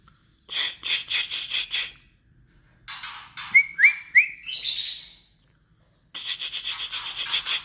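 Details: Kretekan of a white-rumped shama, meant to stir agitation: pulsed, buzzy rattles, then a trio of quick upslurred whistles sliding into a rasping trill, and a final dry chattering burst.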